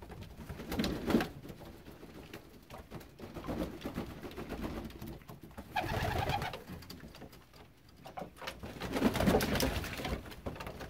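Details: Young homing pigeons, recorded in Baden in 2019, give low, soft coos rising in short bursts, with fluttering and splashing between them in a small enclosed space.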